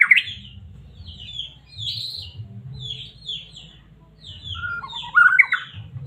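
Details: White-rumped shama of the Medan line, used as a provoking lure for caged shamas: sharp high whistles and brief buzzy notes with gaps between, ending in a loud, rapid, mellow twisting phrase, with a low rumble behind.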